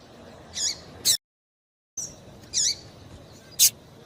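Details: Female papa-capim calling to excite males, used to warm up tournament singers: brief high sharp chips, one rising and falling, in a quiet background broken by a short silent gap.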